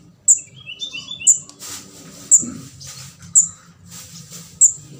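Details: Orange-headed thrush fledgling begging, a sound used to lure birds in for catching: five short, shrill high chirps about one per second, with faint softer twitters and a brief rustle in between.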